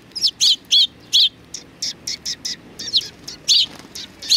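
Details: Sparrows at a Tenmangu shrine on 3 July 2020, coming out to meet a visitor, chatter in a dense string of sharp chirps of varying loudness, several birds calling together.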